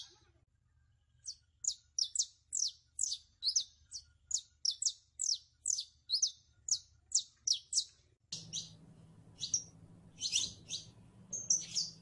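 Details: Saffron finch (Sicalis flaveola) song: a quick, fairly even series of short high chirps, about two per second, followed by looser bursts over a low hum.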